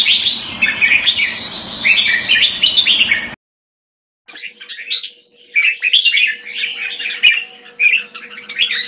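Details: Red-whiskered bulbul, or jambul, kept as a hobby bird, pours out dense, lively warbled song with rapid chirps and whistles, broken by a second of silence, then resumes over a faint steady low hum.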